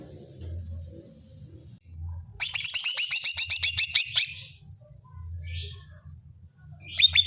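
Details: Greater green leafbird (cucak ijo) provoking song for stirring another bird's fighting spirit: after quiet low hum, a dense two-second volley of rapid ringing whistled notes, then short harsh scratchy bursts and a final whistle.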